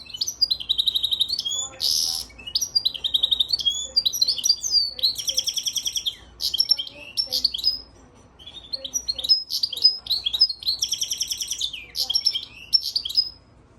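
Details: Goldfinch and Timbrado canary cross, recorded March 3, 2024, singing long phrases of high twittering notes mixed with fast rattling trills and metallic buzzy rolls. Two sustained bursts are broken by a short pause partway through.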